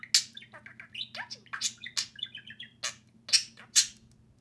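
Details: Playing pet budgerigar pair chattering with mixed squawks, harsh buzzy notes and fluttering warbled chirps in quick succession, with a faint constant hum in the background.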